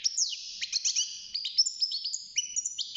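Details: Six-month-old European goldfinch singing in a cage, just starting its song: rapid tinkling twitters, quick downward-sliding notes and brief trills tumbling together without pause, clean and high with no other sounds.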